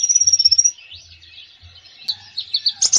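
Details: Konin in full, varied song for prompting lazy konin to sing: a fast high trill at the start, soft warbling twitters, then several short bright chirps rising to a sharp note at the close, over a faint hum.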